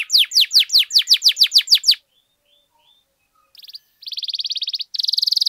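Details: Canary singing for use as tutor and lure recording: about ten loud down-slurred whistles in two seconds, a quiet gap with faint notes, then buzzy rolling trills at high pitch.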